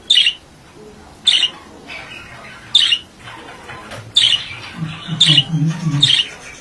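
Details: Male budgerigar letting out loud, sharp squawks about every one to one and a half seconds over a faint background chatter, with a low droning sound near the end.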